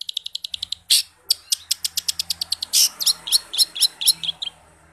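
Long-tailed Shrike pouring out a fast, high chattering song of sharp repeated chips and squeaky whistled notes, about four per second, with a faint low hum beneath.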